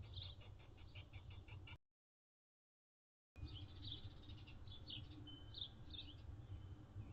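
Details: Anna's hummingbirds visiting feeders on June 7, 2022, a day with a high of 76F and a low of 51F: faint, high, sharp chip notes repeated rapidly in short series over a low rumbling background, with a brief silent gap.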